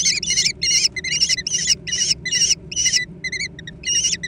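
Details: Young American kestrels squabbling over food: rapid, harsh, high-pitched squealing notes in bursts about every third of a second, repeated steadily, with a low background rumble.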